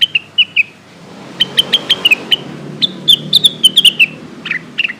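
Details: Lesser green leafbird calling companions, used as a lure: bright repeated whistles in short bursts, each note dropping slightly, delivered in quick runs with brief pauses between groups, over a faint low hum.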